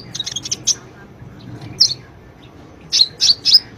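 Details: Sunbird song played to prompt a silent bird to sing: a quick cluster of high chips, a long gap with a single note, then three loud, sharp, high chirps near the end.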